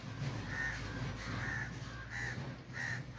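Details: Crow giving four harsh caws, evenly spaced about 0.7 seconds apart, over a steady low rumble of background noise.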